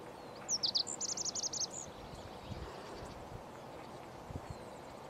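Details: A male Lazuli Bunting gives its morning song on 13 May 2020: one quick, high phrase of paired and buzzy notes lasting just over a second, followed by a steady low background rumble.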